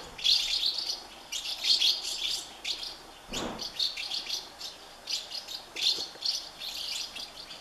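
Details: House martin chicks begging from nests in a colony of thirty as parents bring food; high rapid twittering bursts, repeated roughly every half second, broken by a brief broadband rustle midway.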